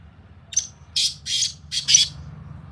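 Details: Sindhi black francolin (kala tetar) calling in fields: a short sharp note, then four loud rasping, buzzy syllables in two pairs within about a second, over faint low background hum.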